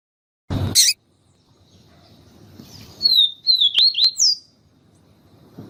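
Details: Papa-capim siu siu (yellow-bellied seedeater) with a female calling to warm up the male: a loud click, then a fast string of four or five high, slurred whistles, each sweeping down then up.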